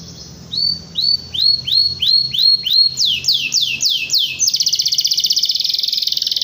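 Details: A lively 'gacor' canary rolling and 'shooting' its notes to call a rival: about a dozen clear upslurred whistles, then sharper down-sweeping notes, breaking into a very fast, even, buzzy trill.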